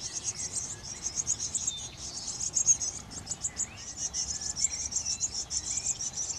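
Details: Eurasian blue tits at a nest box in a garden, caring for their young: a dense, very high, hissing chatter of rapid pulsed notes runs without a break, rising and falling in loudness.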